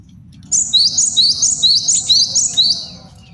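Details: Male cinereous tit song, used to train and lure birds. A single bright run of about eight high two-note whistles repeats rapidly and evenly over a low background hum.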